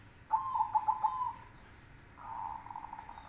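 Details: Zebra dove, Silver against Cemani Kolbuntet Trex in song contest: a pulsed rolling cooing phrase of about five beats, followed after a pause by a softer, longer drawn-out coo, with faint high chirps overhead.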